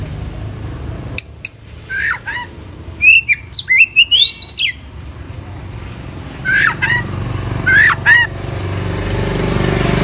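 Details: Oriental magpie-robin (kacer) in vigorous full isian song: scattered sharp whistles, then a fast burst of varied rising and falling chirps, then more downslurred whistled phrases over a low background hum.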